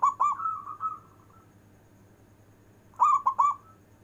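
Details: Prized local zebra dove in long-breath cooing. The end of one phrase trails into a level fading note, then a fresh loud phrase of three ringing, tremulous coos comes near the end. Faint hum throughout.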